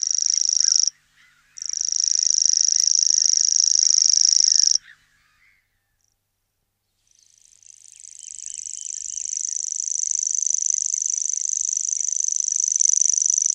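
A common grasshopper warbler reels out its high, dry, insect-like trill in long unbroken bursts.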